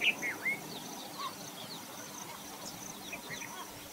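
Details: Great grey shrike (Lanius excubitor) call: three quick, sharp chirping notes, then a faint note, with thin, high calls of other birds in the background; Bijapur.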